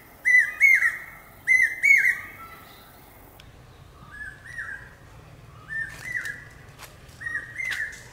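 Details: Common hawk-cuckoo calling pi-peeah: two loud, close whistled two-part phrases, then several fainter repeats about every 1.3 seconds, with a low hum and some clicks in the background.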